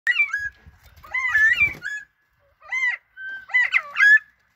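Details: Northern bobwhite chatter: clear bursts of overlapping arched, whistled notes from more than one bird, coming in quick clusters with short silent gaps between them.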